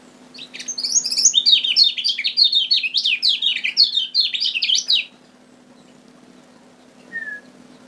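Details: Lombok lemon-bellied white-eye, kept as a lure bird, pouring out a loud, fast string of high, sharply slurred chirps for about five seconds, then silence broken by one short thin whistle.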